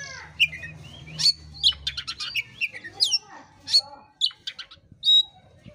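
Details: Oriental magpie-robin song, used as a lure to rouse a sluggish bird: loud, clear whistles rising and falling, mixed with rapid rasping bursts, phrases spaced under a second apart over a low hum that fades after two seconds.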